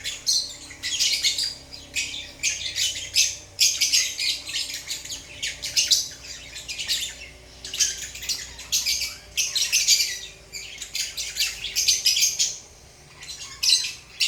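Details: Relaxed pet lovebirds giving continuous high, scratchy chirps and squeaks in quick rattling bursts, groups of calls every second or two separated by short lulls, over a quiet indoor background.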